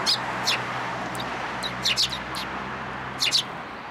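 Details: Sparrows tagging along behind a person for food near a Japanese community hall, 26 February 2023; scattered high chirps, some paired, spaced irregularly over low engine-like hum.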